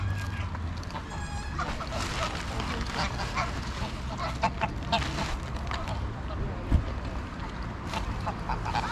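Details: Greylag geese at Pearson Park in Hull, England, on 22 August 2021, recorded with a GoPro Hero9: short nasal honks in loose bursts, some with ringing overtones, over a steady low rumble of traffic and park background.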